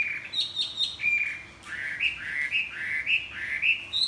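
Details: Wing-flapping Chinese hwamei singing at dawn: high repeated whistles, a held note, then a series of rising slurred whistles given roughly twice a second.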